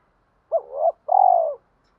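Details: Lure spotted dove calling to stir wild doves: a short hooked coo swelling into a hum, followed by a long purring rolled note, with no other sounds.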